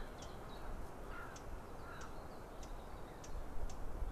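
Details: Near a white-tailed eagle nest on 25 April 2016, mid-afternoon, a Eurasian blackcap repeats sharp tacking alarm notes at an uneven quick pace. The nest camera also catches background rumble and faint whistled notes from other birds.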